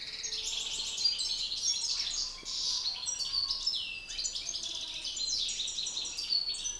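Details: Two male European goldfinches compete in song, one a seasoned master, the other excited: nonstop bubbling twitter with buzzy rattles and bright chirps, hardly pausing.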